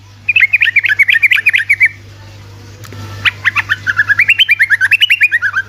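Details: Energetic ropelan song of a sooty-headed bulbul used to make lazy bulbuls respond: a fast chattering phrase, a pause, then a long rapid series of about twenty falling chirped notes in steady rhythm.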